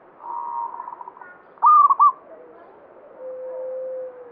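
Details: Banyumili-style singing from a local zebra dove, a bird tied by belief to good luck; a soft trilled coo, then a loud crisp high three-note phrase, then a steady lower note from another bird.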